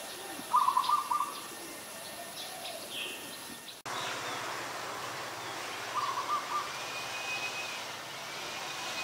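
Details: Ashy Woodswallow, a very common resident in Ubon Ratchathani, Thailand, 20 October 2021: two brief harsh, stuttering bursts several seconds apart, heard over a steady hiss with a faint low hum.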